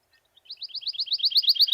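A Pine Warbler sings an even, musical trill of quick, high notes, about ten a second, that swells in loudness as it goes on.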